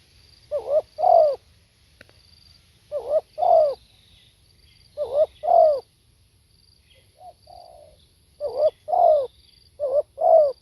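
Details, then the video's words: Live spotted dove cooing: loud paired rolling coos repeated roughly every two to three seconds, with one quieter drawn-out coo in the middle; thin high tones sit faintly behind. "เสียงนกเขาใหญ่ สด | suara tekukur"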